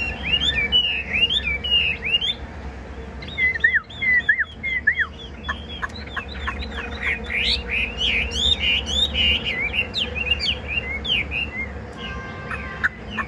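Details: Caged Chinese hwamei in a long, rich song of looping whistles, sharp downslurred notes and fast high trills that shifts pattern every few seconds. A steady low hum is heard throughout.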